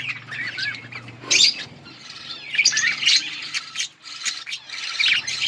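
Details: Several budgies chirping: bursts of high, warbling chatter and short squawks between quieter pauses, with a faint low hum underneath.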